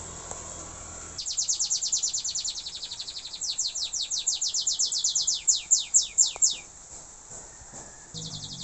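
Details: Learning canary song: a fast high trill starts suddenly, shifts into slower downward-sweeping notes that grow louder, then stops, leaving a quiet hiss before another brief trill begins.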